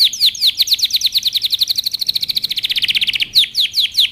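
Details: A canary delivers a training song of repeated down-slurred whistles speeding into a rapid, even trill, then slowing back to separate swooping notes.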